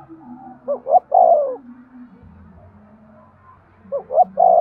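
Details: Spotted dove coo for stimulating breeding: one phrase of two quick notes and a sustained coo, a long gap, then the same phrase starting again.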